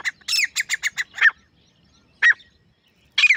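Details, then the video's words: Grey francolin male, alone, producing a quick burst of about eight harsh squawking notes, then isolated single notes after short silences. "Akely Nar Teetar ki Saaf or Full Sound | Awaz Only Male Partridge Sound | Grey Francolin Voice"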